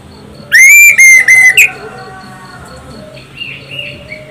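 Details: Orange-headed thrush song used as a lure to make other birds sing: three loud, clear whistled notes in quick succession, each slightly falling, followed by faint chirping in the background.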